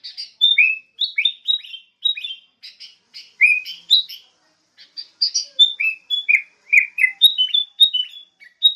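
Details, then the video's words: Kutilang, the Sooty-headed bulbul, pouring out rapid, cheerful chirps and slurred whistles in near-continuous phrases, with one short break partway through; clean recording without other sounds. "SUARA BURUNG KUTILANG"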